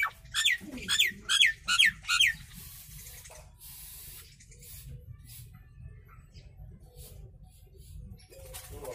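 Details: Nias hill myna calling for song training; five loud harsh notes with whistled inflections come in quick succession over the first two seconds, then a low steady hiss and faint rustling fill the rest.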